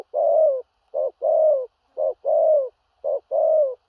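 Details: Loud, close spotted dove with a large body, cooing in 'thổ rặc' style: a short hoarse note then a long, rich, falling coo. Three pairs are delivered evenly and the background is clean.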